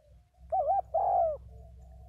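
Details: Spotted dove from Vietnam giving a single two-part coo: a wavering mid-pitched note followed at once by a longer, smooth, slightly falling note, over a steady low hum.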